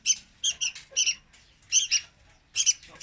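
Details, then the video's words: Young red-whiskered bulbul giving song used to lure birds into traps. Sparse bursts of two or three sharp, squawky notes are separated by short silences, about four bursts in a few seconds. "Tiếng Chim Chào Mào Con Hót Rất Chuẩn Để Bẫy"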